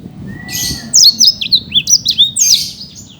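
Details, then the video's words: Black-throated canary, a championship-winning singer kept as a competition songbird in Bekasi, Indonesia, delivering a fast, high song of sharp whistled and trilled notes in quick bursts, each phrase a bright downslurred chip, run together with little pause; faint low background noise. "Burung Blackthroat Gacor"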